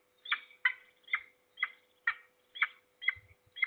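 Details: Morning calling of a peregrine falcon at Trzebież Forest District, Poland, on 6 September 2022: sharp, rasping notes repeated about once per second in an even series, a low steady hum underneath.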